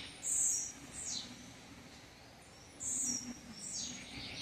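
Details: Blue-black grassquit singing the campainha song. High, bright buzzy notes are each followed by a quick downward-sliding chirp, and the pair repeats after about two and a half seconds over a faint low hum.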